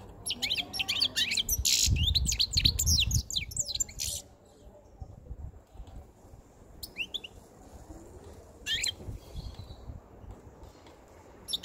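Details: White-chinned male European goldfinch, caged and caught five months ago, singing close to spring; a loud dense run of fast twittering and chattering for four seconds, then sparse scattered high notes over background noise.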